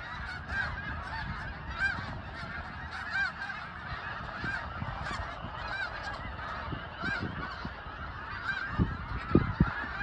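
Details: A huge migrating flock of snow geese in Lancaster, Pennsylvania, producing a continuous dense chorus of overlapping nasal honks and yelps with no single voice standing out. Low rumbling noise runs underneath.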